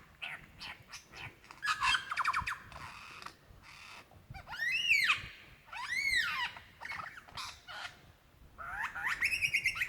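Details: Calling for a female in Dandenong Ranges National Park, Victoria, February 2016, a male lyrebird gives busy chattering passages and then two loud, arching, ringing notes about a second apart, ending in fast twittering.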